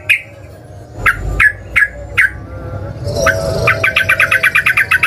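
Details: Sooty-headed bulbul in emotional fighting song used to goad rivals into responding: a handful of separate sharp, downslurred notes, then a quick, regular chattering run of about ten bright notes over low background hum.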